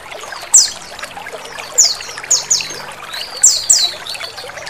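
Oriental white-eye giving high, thin descending notes in quick pairs, about every second, over a steady wash of running water.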